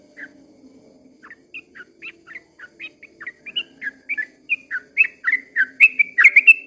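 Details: Sooty-headed bulbul at dawn giving a long 'ropel' song; soft separate whistles build into a louder, quicker, bubbling run of slurred notes toward the end.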